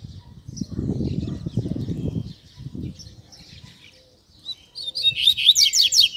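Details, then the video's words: Double-collared Seedeater in captivity, Tui Tui Zel Zel song for teaching young birds: low flapping and rustling noise first, then a fast series of sharp, high, chirping notes near the end. "Tui Tui Zel Zel Para Treinar Coleiro e Papa-capim!!!"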